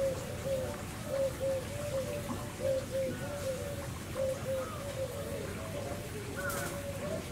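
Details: Captive Victoria crowned pigeons, a male and female pair at Tobu Zoo, Saitama, Japan, on 18 September 2020, giving low muffled coos in paired beats roughly every second, with rain-like background hiss and a faint rustle near the end.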